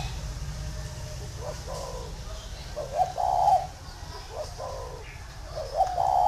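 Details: Spotted dove from a Ba Vi dove farm, Vietnam, heard more faintly: a few muffled coo phrases, each ending in a drawn-out hoarse note, set against a steady low rumble.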